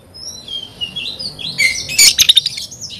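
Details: Oriental magpie-robin in full song, answering another magpie-robin: thin high whistles, then a sudden loud burst of sharp chips and scratchy notes near the end.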